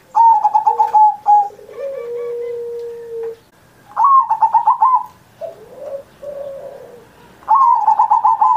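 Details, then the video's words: Indonesian zebra dove in full song, used as a tutor recording for pet doves still learning: quick stuttering runs of clear mid-pitched notes, each burst roughly a second long, separated by softer low sliding coos, quiet room behind. "Perkutut Masteran Manggung Gacor Mancing Burung Lain"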